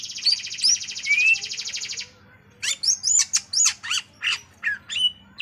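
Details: Greater green leafbird delivering a two-second harsh buzzy trill with whistled notes woven through it, then after a pause a series of loud, evenly spaced sharp chips and squeaky whistles, with a faint low hum throughout.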